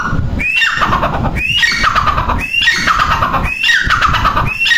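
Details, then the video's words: Grey francolin calling loudly: harsh, squawking phrases opening with a rising note and sliding down, repeated roughly once a second against a steady noisy background. "Teetar ki awaaz"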